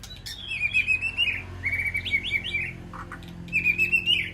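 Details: White-rumped shama in an aviary calling to its flock, delivering flowing whistled phrases with trilled, wavering notes and brief rising slurs, steady low hum beneath.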